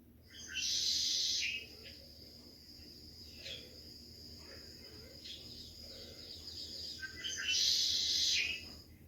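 A blackbird gives two harsh, buzzy, trilled bursts about seven seconds apart, with faint chips and a thin, steady high tone between them.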